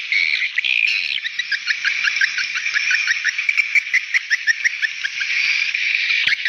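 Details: Swiftlet calls for calling young birds: a steady background of high chatter carrying a long regular train of short upswept chirps, about three per second, fading near the end.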